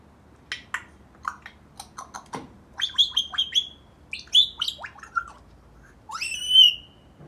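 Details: Male African grey parrot, eight months old, kept as a pet, chatting away: a string of short clicks and chirps, then whistled notes near the end, with a person speaking softly.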